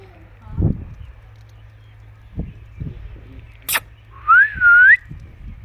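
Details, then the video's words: Green Indian ringneck parrot, a household pet, chirping: after a few soft knocks comes one looping whistle that dips and then climbs, strong and clear above a steady low hum. "Natural Indian ringneck parrot talking sound/ Green toota mitthu Parrot chirping sound"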